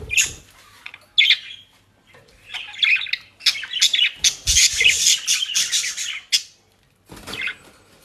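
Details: Pet budgerigars kept in South Holland, Netherlands, eating dry leaves and grass; isolated squawks give way to a long, dense burst of scratchy warbling chatter, then a short final call.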